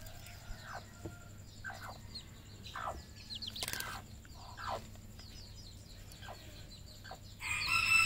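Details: Farmed red junglefowl in Cambodia giving short descending calls about once a second, over constant high thin peeps and a low background hum, ending in a loud rushing noise.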